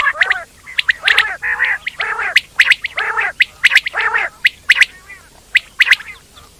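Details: Indian quail (batair): a busy mix of short sharp chirps near the top of the range alternating with lower, nasal, harmonic churring notes, several birds calling over each other with brief gaps.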